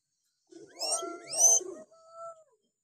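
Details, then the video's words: Hill myna calling on a recording meant to coax quiet or young forest-caught mynas into answering: two loud, harsh, rasping bursts laced with steady whistled tones, followed by a softer held whistle. "masteran beo josss buat pancingan beo malas bunyi"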